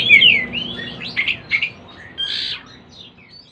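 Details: Young oriental magpie-robin practising its song, giving a short series of high slurred whistles and chirps followed by a brief buzzy note, then fading quietly.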